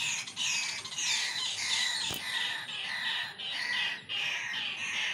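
A kingfisher gives a harsh, high, screeching chatter of rapid notes, nearly continuous with brief breaks, plus one sharp click.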